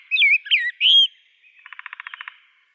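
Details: A rose-breasted grosbeak gives a few sweet, slurred whistled notes, then a dry, evenly pulsed rattle of about a dozen beats.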